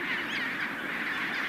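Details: A dense, unbroken din of harsh, braying calls from a huge chinstrap penguin colony on the Antarctic Peninsula, among the biggest there, many birds overlapping without pause; pairs seldom change mates and nest on stone rings.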